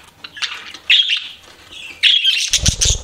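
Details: Pet budgies giving scratchy chirps and short squeaky whistles in two bursts separated by a quieter stretch, ending with a low thumping rumble under the calls.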